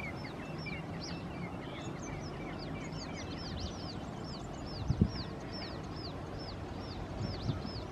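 Asian green bee-eaters giving a steady stream of high, short, rolling chirps, several birds overlapping, over a low rumbling background and a couple of soft knocks.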